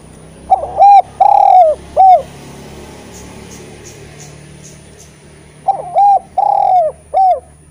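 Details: Eurasian collared dove, a very vocal bird used as a tutor recording to stir reluctant spotted doves to call: two three-note cooing phrases, each a short coo, a long falling middle coo and a clipped end note, separated by a few seconds of quiet.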